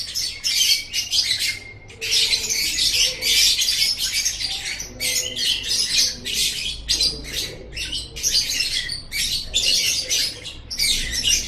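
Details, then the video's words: Almost nonstop lovebird chattering: rapid, harsh, high squeaky bursts and screeches packed closely together, from a recording made to train pet lovebirds. "Masteran Suara Burung Love Bird 7"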